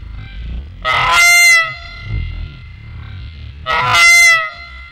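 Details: Geese arguing over possession of a nest taken over from horned owls. Two brassy, strained honks about three seconds apart stand out, each with a ringing tail, over constant low-pitched background rumble.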